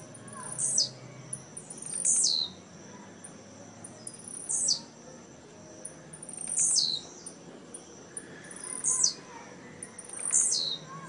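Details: Blue-black grassquit competing in a singing tournament at Jacarepaguá, Rio de Janeiro, November 2017; short high buzzy downslurred phrases repeated about every two seconds, five in all, over soft background noise.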